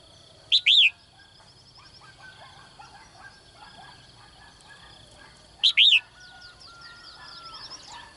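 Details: Female bird in a cage calling each morning for a strong male: two double-note calls, a short chirp then an arched rising-falling note, about five seconds apart, with faint softer chirps and a low background murmur between them.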